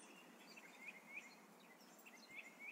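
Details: Birds singing outside a house on a sunny morning: faint, short high chirps repeated roughly every third of a second over a steady background hiss.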